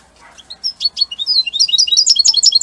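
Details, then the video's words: Italian goldfinch singing strongly: a quick, bright twittering phrase of high tinkling and chirping notes that builds into a dense, fast run of repeated sharp syllables. "من أقوى تغاريد طائر الحسون الجميلة الحسون ايطاليا"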